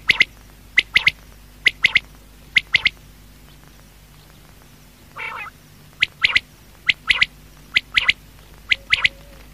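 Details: Common quail calling at night: sharp, high clipped notes in quick pairs and triplets, roughly one burst per second, with a brief lower burbling sound midway.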